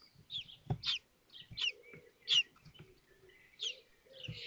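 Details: Common kestrel young in a Théding nest on 19 May 2024 as the fifth egg hatches beside feeding siblings. Uneven bursts of high, shrill chirps alternate with lower mellow tones and dull knocks.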